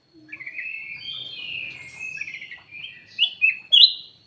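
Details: Kutilang emas, or black-headed bulbul, giving a lively lure call: warbled, chattering phrases around mid-high pitch, then three sharp, bright upslurred notes near the end, with faint low background rumble.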